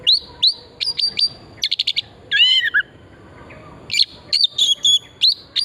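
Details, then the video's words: Kacer (oriental magpie-robin) song used as a lure to stimulate singing: varied loud whistles, rapid stuttering notes, a buzzy rising-falling phrase and clear sweeping whistles in quick succession. "Pancingan burung kacer pesona hutan murni gacor"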